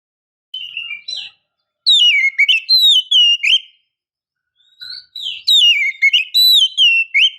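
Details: A female Oriental magpie-robin calls to stir males into singing. Sweet whistled phrases of sliding, up-and-down notes come in two bouts, each opening with softer notes before louder ringing whistles.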